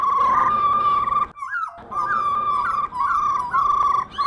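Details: A female black laughingthrush (Melanocichla lugubris) gives its rolling call, used to stimulate males to sing: a steady buzzy rolling note held over a second, then short rising upslurred phrases about every half second.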